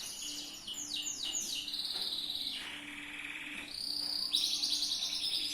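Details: Yellow canary singing loper-style training song: quick descending whistled sweeps repeat in a series, then a lower rattling trill and a bright, high buzzing roll, with a faint low hum underneath.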